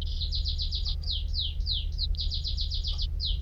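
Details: Canary song in bursts of rapid, high downslurred notes, grouped in quick runs with brief pauses between, accompanied by a faint low hum.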